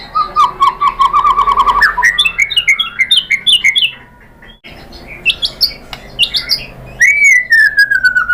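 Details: Shama song to provoke other shamas: a fast trill of repeated notes, varied chirps and whistles, then a long descending whistle at the end.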